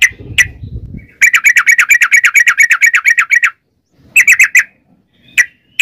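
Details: Sooty-headed bulbul giving a long rapid trill ('ropel panjang'), played as a lure to make other bulbuls sing. Low rustling noise comes first, then about twenty fast, even notes, a shorter trill burst, and scattered single notes.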